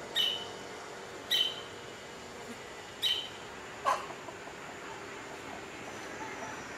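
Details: Wing-banded hornero giving four short, sharp, high notes about a second apart, each sounding like a clipped chirp, over a steady low background noise.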